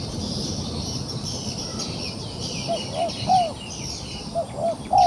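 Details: Wild pigeon caught in a trap and still fighting, giving soft arched coos around the middle of the range, a few spaced notes in the second half, over a steady chorus of high insect buzzing and low rumble.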